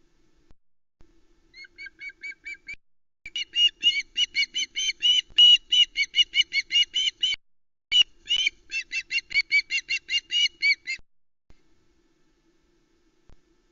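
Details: ['Juvenile Osprey, a female chick still on the Loch Arkaig nest on 1 September 2020, calling over a big trout brought by her father. A long, rapid, insistent train of high squawks rises in loudness, pauses, then continues.']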